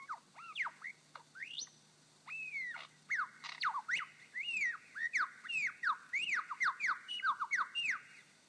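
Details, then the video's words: Male superb lyrebird giving his own territorial call on his dancing mound in forest in Victoria, Australia: loud ringing whistled notes, many sharply rising or falling sweeps, speeding into a rapid repeated series toward the end. "This is the lyrebird's own territorial call."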